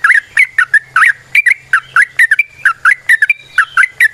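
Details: Yellow-vented bulbul in natural wild-style song used as a lure for other bulbuls: rapid, bubbling phrases of short, liquid, slightly warbled whistles. About four notes a second, steady and close.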